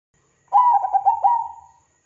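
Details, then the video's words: A zebra dove (perkutut) lure call gives one soft, mellow cooing phrase of quick stuttering notes that ends in a drawn-out, fading coo, against a quiet background. "PANCINGAN PERKUTUT GACOR DOR"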